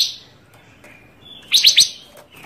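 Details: Panca Warna bird in full song, a varied singer used as a master recording and as a lure for trapping: after quiet, faint high whistles, a quick burst of three sharp, high chirps, then fading notes.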